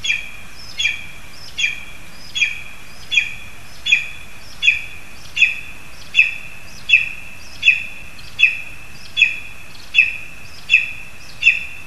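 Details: Lesser spotted eagle in a spruce in Zemgale, Latvia, where the young is given a frog: a long, very regular series of about fifteen piercing high yelps, one every 0.75 seconds, over steady background hiss.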